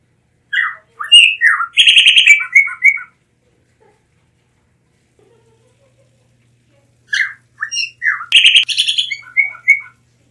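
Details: Blue mockingbird song: two bursts of varied whistled and chattering notes, each roughly two and a half seconds long, separated by a quiet pause of about four seconds; background otherwise still.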